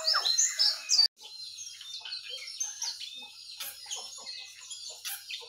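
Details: Mixed morning chorus of sooty-headed bulbul, yellow-vented bulbul and white-eye: loud bright whistled phrases at first, a brief drop-out, then steady high twittering and scattered chirps.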